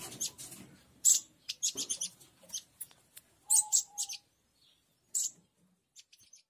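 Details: Harsh call of a local Oriental white-eye, used to attract wild white-eyes: piercing high chirps in separate bursts, several stacked together, then fading to sparse faint notes near the end.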